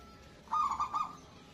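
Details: Local zebra dove with a big voice, calling to spur other zebra doves to answer. One short bubbling coo phrase of three quick pulsed notes, mid-pitched and even, against a quiet background hiss.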